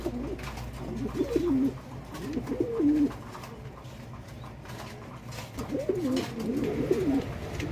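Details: Fancy pigeons, a domestic breed of the rock dove, at a pigeon farm in Bangladesh; soft low coos rolling in short wavering phrases, two bursts separated by a quiet gap, over a steady low hum.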